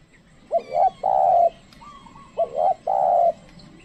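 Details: Trained decoy spotted dove calling to lure wild birds: two loud cooing phrases, each a short rising double note followed by a long, level, throaty coo, with faint chirps in the background.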